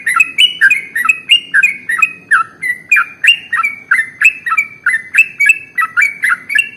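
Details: Sooty-headed bulbul used as a singing lure, delivering an extra-long, tightly packed song of quick chirpy phrases, each note hooking upward then falling, repeated roughly three times per second without pause, clean and loud.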